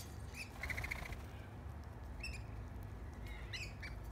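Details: A few lorikeets eager for a bread crust in a backyard while hand fed: a quick run of short buzzy notes early on, then scattered harsh squawks, over a constant low rumble.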